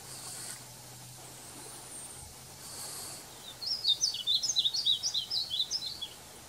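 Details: Male painted bunting recorded on July 24, 2020, singing a rapid, high, sweet warble of quick slurred notes lasting about two seconds, preceded by bursts of faint, high, steady buzzing hiss.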